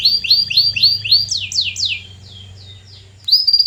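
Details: Song of a canary, offered as a lure to make silent canaries sing: rapid rising whistled notes, then sharp falling sweeps, a soft fading stretch, and a closing high trill.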